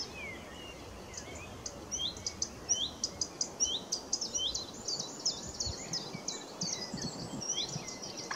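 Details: Blyth's reed warbler in song at Middleton Lakes reserve, 21 June 2021: quick high ticks and whistled notes repeated in bursts, building into a busier rattling phrase, over steady background hiss and faint calls of other birds.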